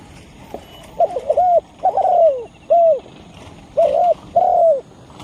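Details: Spotted dove lure call used to attract and provoke wild birds: soft, low cooing notes in a pattern of paired and single coos, each slightly falling, over a quiet outdoor background.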